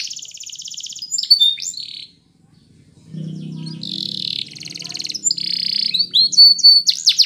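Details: Belgian canary singing: rapid buzzy high trills and quick sweeping whistles, a brief silent pause near two seconds, then more rolling trills and chirped phrases over a faint low hum.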